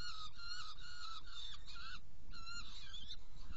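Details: During a prey delivery to two young Saker falcons in Hungary, June 2018: drawn-out, hoarse wailing calls in a short series, a brief pause, then more, over low rumbling noise.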